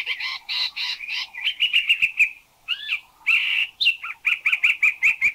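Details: Thai recording of a Spot-throated Babbler, noted for a varied vocabulary though not very melodious: buzzy doubled chirps, a quick string of short clipped notes, a looping slurred whistle, then more rapid chattering notes.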